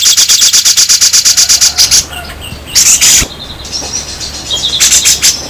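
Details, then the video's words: A grey-cheeked bulbul's harsh besetan rattle, local versus Sumatran birds, for training other birds: rapid rhythmic rasping pulses, almost three a second, then broken buzzy bursts and faint whistles. "Masteran super kasar raja besetan jenggot lokal vs sumatera"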